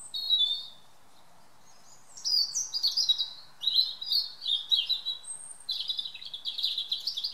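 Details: A European robin sings in a garden in the evening: a short high warble, a pause, then a long cascade of tinkling, trilled and sliding notes.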